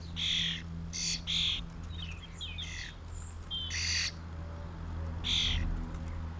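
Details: Common starlings in a small flock taking mealworms, 2016: short loud rasps spaced irregularly, interspersed with quick chirps and slurred whistles, above a constant low mechanical hum.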